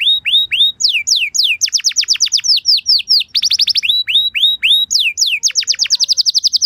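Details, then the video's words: Canary singing a lure song to trigger other canaries: alternating rising whistles and rapid bursts of steep downward notes, including a dense buzzy trill, in continuous varied tours. "Bakal Langsung Nyaut Burung Kenari Kondisi Apa Saja Dengan Pancingan Kenari Lagu Mewah Ini"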